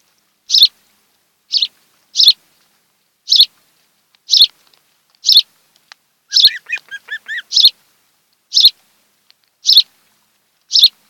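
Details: Osprey pair at their nest on Kent Island, Maryland, filmed by a nest webcam on the afternoon of 26 July 2018: short high squeaky chirps spaced about a second apart, interrupted once by a quick run of lower rising whistled notes.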